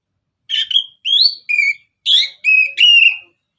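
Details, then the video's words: Orange-headed thrush singing vigorously to prompt other birds: six varied whistled notes in quick series, some rising, some flat and low, some buzzy and broken, separated by short pauses. "Kicauan Anis Merah Bikin Emosi Dan Gacor"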